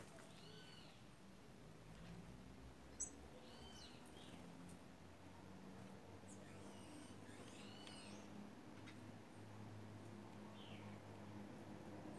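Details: A group of white woodpeckers calling: nasal, arched notes with stacked harmonics come singly or in short pairs at uneven gaps over a steady low droning hum.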